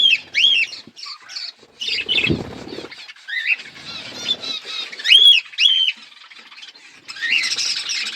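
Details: Budgerigars in a breeding flock with chicks growing give high, sharply arched chirps and scratchy warbles in uneven bursts, with a brief low rustle or flutter partway through.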